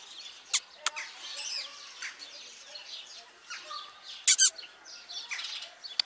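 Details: Superb starling giving busy, high chattering and squeaky whistled notes in rapid, overlapping bursts, broken by a few sharp clicks and taps.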